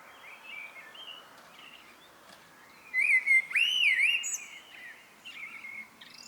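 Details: Evening song of a common blackbird: soft scattered twitters, then one loud mellow warbled phrase with rolling up-and-down whistles and a thin high flourish, followed by quieter chirps.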